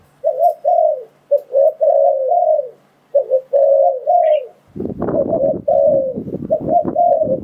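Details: Spotted dove lure call for trapping wild doves: clear soft coos in double and long falling notes for the first half, then loud rustling noise largely covering the continuing coos.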